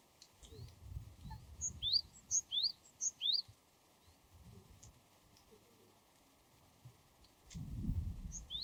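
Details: A wild Japanese tit gives five or so sharp upslurred whistles in a rapid run, then falls quiet while low rumbling noise swells near the end.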